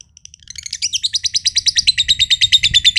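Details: Green (josan) lovebird, a prized competition bird from Mojokerto, giving its long ngekek trill: a few soft chirps build into a fast, buzzy, high chattering trill of evenly repeated notes, about six per second, growing louder.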